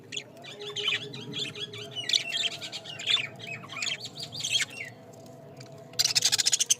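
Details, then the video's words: Budgerigars kept in a mini cage chatter almost continuously with warbled, rising and falling chirps, ending in a rapid burst of harsh rattling notes. "Our Budgies birds mini cage"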